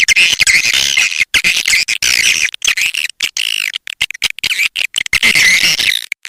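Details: Calls of edible-nest swiftlets, played to lure swiftlets: a continuous dense chatter of high, wavering chirps and twitters, broken by brief silent gaps.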